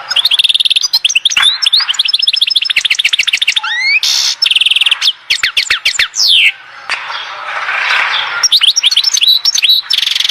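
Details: European goldfinch from Oued Zhour, Skikda, singing a long, fast twittering song: tinkling, liquid chirps mixed with buzzy rasping trills and sliding notes, with brief pauses and a harsher noisy passage near the end.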